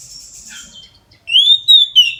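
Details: Midday 'ngeplong' song of an Oriental magpie-robin, played to encourage other magpie-robins to sing: faint high hiss and a soft note, a pause, then a loud long rising whistle and two short bright notes.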